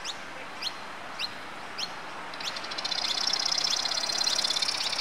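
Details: Australasian grebes in Brisbane Botanic Gardens, Mount Coot-tha, Queensland, Australia, late October 2013: a few thin rising chirps, then a loud buzzy rapid trill lasting about two seconds.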